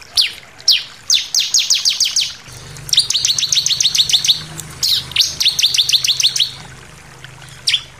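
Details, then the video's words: Bar-winged prinia giving an insistent, varied song suited for tutoring other birds: fast rattling volleys of high, thin, sharply falling notes, about ten per burst, with brief pauses, over a faint low hum. "SUARA CIBLEK NEMBAK NGOTOT + VARIASI"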